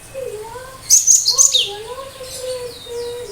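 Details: Sharp 'tembakan' song of a cinereous tit, sung to provoke other birds into answering: a brief burst of very high, quick chirps in the middle over a steady, wavering low whistle running throughout.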